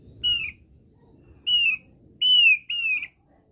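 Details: Thick-billed white-eye from NTT in basic song: four clear, slightly descending whistled notes, each about a quarter second long, spaced irregularly over three seconds against soft low background rumble.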